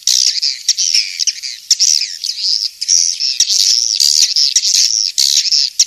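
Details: A King's Star swiftlet lure sound for swiftlet farming, heard as a loud, unbroken stream of shrill twittering. Short chirps overlap with longer buzzy, wavering notes across the whole stretch.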